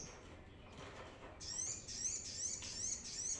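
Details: Brown-throated sunbird, a lure recording for trapping birds, in a high thin song of quick repeated buzzy trilled notes, each phrase a sliding chirp, carried on steadily for about two seconds over faint background hiss.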